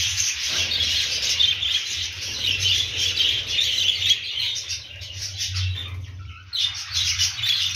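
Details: Several budgerigars chattering in a busy stream of quick high chirps and warbles that rises and falls in loudness, breaks off briefly near the end, then resumes, with a steady low hum behind.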